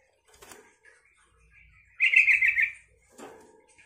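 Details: Yellow-vented bulbul singing to stir other bulbuls to reply: one brief rollicking phrase of quick bubbling notes, framed by soft rustling and clattering knocks before and after.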